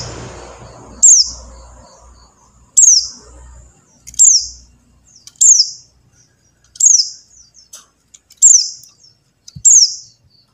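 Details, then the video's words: Buxtoni white-eye call meant to coax silent white-eyes into song: seven piercing downslurred chirps with buzzy tails at uneven intervals, over a low rumbling background at the start. "suara CALL PLECI BUXTONI | untuk pancingan PLECI MACET BUNYI"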